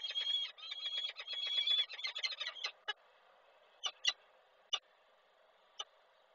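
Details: Peregrine falcon at a nest in Koszalin on 2 April 2024, calling during a nest change-over as a bird returns, recorded by an online nest camera: a rapid burst of harsh, repeated high chattering notes for nearly three seconds, then several short isolated calls.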